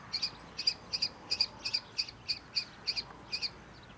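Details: Common kestrel fledgling that left its barn nest box, calling from the ground on a farm in the early morning to draw attention: eleven evenly spaced shrill, slightly doubled notes in quick succession.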